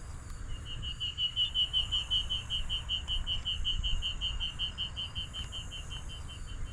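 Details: A Common Cicadabird at Samford Eco-corridor near Brisbane, Australia, on a morning walk, gives a long, even run of high, buzzy notes, about five a second, like a cicada's trill, over low rumble; often heard but rarely seen.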